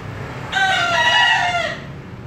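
A bekisar chicken gives a single shrill, ringing crow lasting just over a second.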